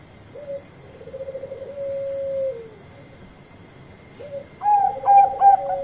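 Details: Zebra dove, Bangkok type, singing loudly to summon companions: a short note and a long vibrating trill that sags downward, then a fresh phrase ending in crisp ringing notes.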